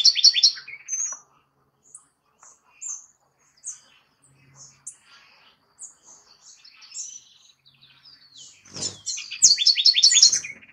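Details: House wren (Troglodytes aedon) singing at El Retiro, Antioquia, Colombia, on 30 June 2021: a fast, bubbling burst of high chattering notes opens and closes the clip, with scattered thin chips between and a brief thump.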